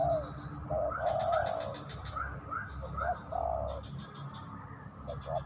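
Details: Spotted dove giving soft low coos, with a long drawn note and short hoots in a loose sequence. Faint rapid chirping sits above, over a low background hum.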